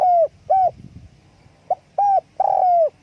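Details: Spotted dove, calling with wing flapping; two clipped coos, a pause with faint rustle, then a quick note, another short coo and a long falling drawn-out coo.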